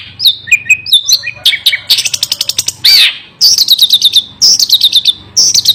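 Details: Long-tailed shrike in fierce continuous song: slurred whistles at the start, then a dry rattle, a harsh rasp, and rapid chattering phrases repeated in short bursts.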